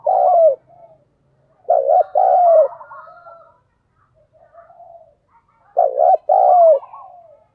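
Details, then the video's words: Lure spotted dove cooing to call wild doves in: strong two-note coos with a drawn-out falling second note, three phrases with quiet pauses and soft murmuring between. "Chim cu gáy mồi chuẩn thúc & gáy gọi kích bổi nhanh nổi hiệu quả"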